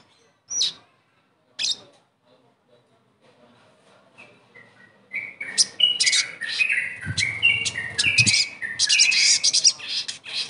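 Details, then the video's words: Crimson sunbird (sogon) therapy song to make a silent bird sing: two isolated sharp chirps, a few soft whistled notes, then a long, busy, high twittering phrase with descending slurred whistles. "TERAPI SOGON MACET langsung GACOR DENGAR PANCINGAN INI"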